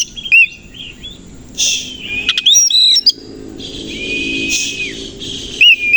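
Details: Oriental magpie-robin (kacer koci) in the morning, tail opened while singing; sparse phrases of clear whistles, one long slurred note held near a second, and some buzzy bursts over faint background noise.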